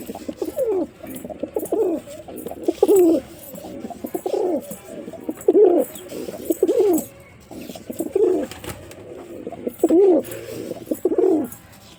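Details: Male white pigeon cooing: a steady run of low, rolling coos, each a short swelling phrase, repeated roughly once a second across the recording in a small indoor space, with faint background hiss.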